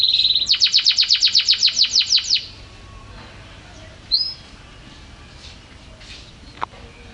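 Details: Champion canary song opening with a rapid series of about fifteen sharp descending clicks forming a buzzy trill, followed by near silence with one short whistle and a click.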